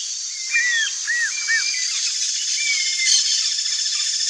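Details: Wild Chaco puffbird in Brazil giving three short, arched whistled notes, then a longer level whistle, over a steady high insect-like hiss.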